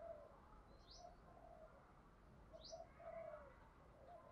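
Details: Spotted dove giving a soft, low, hollow cooing song in the style called "thúc gù". The coos come in short repeated phrases, faint against a background hiss, with a couple of brief high chirps from other birds.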